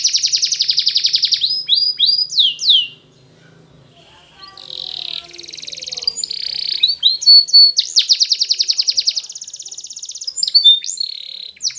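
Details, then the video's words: Spanish Timbrado canary training song: a loud rapid trill and slurred notes, a softer subdued passage mid-way, then strong rolling trills and quick repeated notes resume to the end. "Timbrado Canary's Most Powerful Song For Training"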